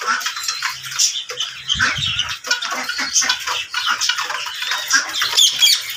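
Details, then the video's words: Ringneck parrots, several birds chattering at once, a constant wash of raspy, scratchy squawks and short high notes, with occasional low thumps in the background. "Ringneck parrot 🦜 Enjoying"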